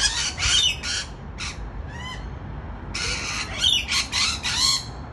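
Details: Harsh, raspy screeches from rainbow lorikeets on a balcony, two loud squawking bursts with brief thin rising whistles between them.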